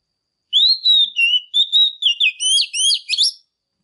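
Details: A female Oriental magpie-robin sings forcefully to stimulate males. The phrase is about three seconds of clear, varied whistles, some level and some sliding, that quicken into sharp twittering flourishes near the end.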